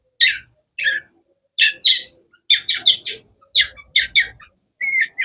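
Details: Sharp melodious chirps from a long-tailed shrike (cendet), delivered in pairs and small bunches of bright, slightly harsh notes with short gaps, plus faint low background rumble.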